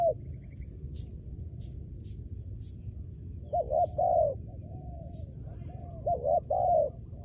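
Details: Faint high chirps from other birds open the clip. Then a trained decoy spotted dove starts cooing: low, hollow doubled notes and a drawn-out falling coo, repeated twice.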